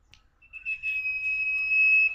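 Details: Tailorbird drawing out a long, even, pure whistled note in a lively njoros song, steadily louder, in a quiet setting.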